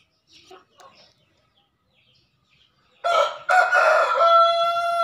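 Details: A male green junglefowl's lure call to a rival: faint distant calls first, then a loud two-part crow, a short harsh note and a long drawn-out, steady, tonal second part.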